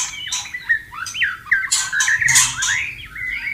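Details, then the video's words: Wild white-rumped shama singing beside flowing water: a varied run of whistled slurs and short rising and falling notes, with a few harsh, squawky bursts between phrases. "Terapi murai macet bunyi dan stres agar cepat birahi dan gacor kembali"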